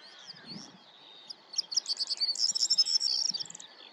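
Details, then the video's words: A male Corn bunting sings on territory, a dry, accelerating series of ticking notes running into a high, jangling rattle like shaken keys, over faint background noise. "Corn Bunting male, singing on territory"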